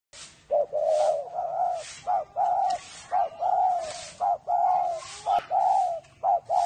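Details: Spotted doves at a bird farm in Ba Vì, Hanoi, Vietnam, singing in the "whistle voice" style (thổ mổ còi). Mellow, clear coos come in quick runs of short and longer notes. The phrases crowd together and some overlap.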